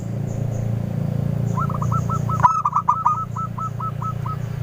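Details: Local zebra dove singing as a lure, its clear voice meant to stir up answering birds. A spaced series of soft coos, with a sharper quick burst in the middle, over a steady low drone.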